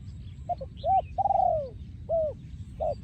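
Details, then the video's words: A 2023 breeding male spotted dove sings the โยนคูอ่าง style. Brief clipped coos lead into a long, sliding, downward coo, then rising hooked notes follow. Low background hum runs throughout. "พ่อพันธุ์ 2023 โยนคูอ่าง"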